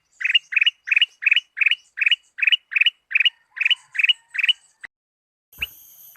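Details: Lure recording of a sooty-headed bulbul, meant to prompt a kept bird to sing: a steady run of quick clustered chirps, each burst of rising notes repeated roughly every third of a second, then silence and a faint click.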